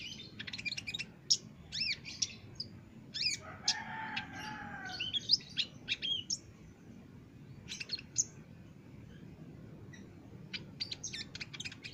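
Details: Olive-backed sunbird in full song on a master recording for caged birds, giving bursts of high chirps and curved tweets. A lower, buzzy tonal phrase intrudes briefly, then a pause precedes a final rapid cluster of thin notes.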